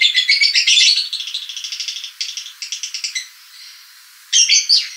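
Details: Lovebird ngekek call, recorded for use as a lure to attract lovebirds: rapid, dry, chattering bursts of high notes, repeated in runs of quick pulses with brief pauses, and a final loud burst after a short quiet gap.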